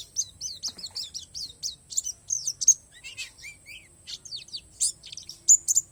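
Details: Rapid series of bright, downward-sweeping tweets from a Palas Borneo white-eye, running fast at first, then breaking into scattered squeaky notes and thin whistles; song filled with natural phrases.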